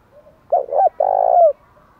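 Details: Spotted dove cooing meant to rouse wild doves to answer: a pair of brief, deep, hollow notes then one sustained rolling coo with a faint lift at the end, clear against near silence.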